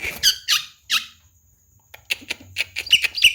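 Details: Javan myna, a talking bird, in a training recording for other birds to copy: three harsh, squeaky bursts, then a short pause, then a rapid run of scratchy, high chattering notes.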